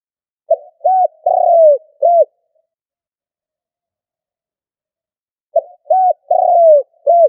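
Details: Stuttering 'cà lăm' coo of a decoy spotted dove: two identical phrases roughly five seconds apart. Each runs short hoot, short hoot, long sliding-down coo, short hoot, over silence.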